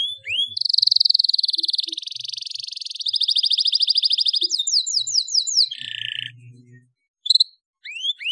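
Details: Tutoring song of a vigorous canary for young canaries: rolling high trills that change speed, a series of descending notes, a lower buzzy phrase, a pause, then rising whistles.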